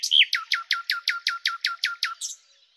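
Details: Single phrase from a common nightingale: one upslurred whistle followed by about ten evenly spaced, loud descending notes at a steady pace, fading into silence.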